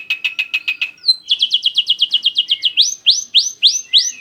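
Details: Black-winged starling singing in a lure recording: rapid clipped chatter, a brief whistle, then a quick series of bright chipping notes, then several loud, upward-swept whistles repeated roughly every third of a second.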